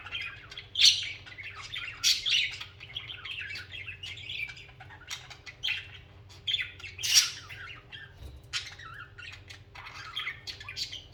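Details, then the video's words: A group of pet budgerigars singing and chirping, giving dense, scratchy warbled chatter mixed with sharp clicks and brief squawks in irregular bursts, over a steady quiet low hum. "Most Beautiful Bugies Song | Bugies Singing and Chirping"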